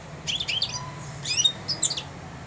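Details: Young caged European goldfinch, four months old, starting to babble its first song while perched at a hand that feeds it daily. Three short bursts of high, scratchy twittering notes with thin, quick chirps in between.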